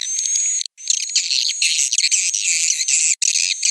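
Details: Piro 89 roosting call of swiftlets: harsh, dense twittering chatter, very high and continuous, with a faint steady whistle early on and one short gap.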